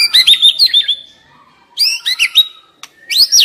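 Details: White-rumped shama, a young bird from the forest described as stressed, gives short rich phrases of chattering, rising and falling whistles, split by quiet gaps of about half a second. Its song is meant to stimulate other shamas to sing.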